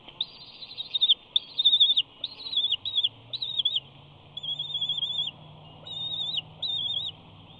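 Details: Bald eagle at the Big Bear nest, directly in front of the nest camera, preening, 5 June 2019: bursts of high, wavering chittering in quick runs, then longer level piping phrases with short pauses between them.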